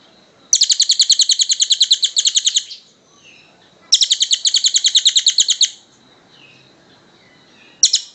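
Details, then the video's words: Kingfisher calling, a long recording used as a master for training cage birds: two extended bursts of rapid, harsh, evenly paced high notes, each lasting about two seconds, with a third burst beginning at the end over a quiet background. "Suara Burung tengek cililin panjang"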